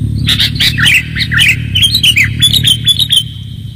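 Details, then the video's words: Sooty-headed bulbul lure recording: a busy run of bubbly, slurred notes, several of them dropping in pitch, delivered in quick succession over a steady high tone, with a low rumbling background. "pikat kutilang suara jernih anti zonx"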